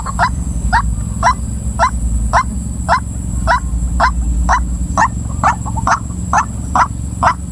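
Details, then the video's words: Female white-breasted waterhen repeating sharp croaking notes roughly twice a second, about sixteen in all, with a brief burst of softer quick notes midway; a low steady rumble and a thin high whine persist throughout. "suara ruak ruak betina"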